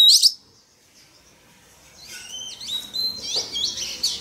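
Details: Male Oriental magpie-robin singing to get a young bird singing: a sharp whistled burst, a silent pause, then softer sustained whistles and twittering notes.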